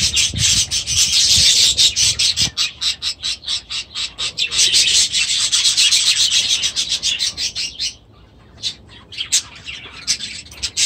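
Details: Aviary budgerigars and chicks make rapid rhythmic scratchy chattering, about two pulses per second, which stops suddenly and gives way to scattered chirps.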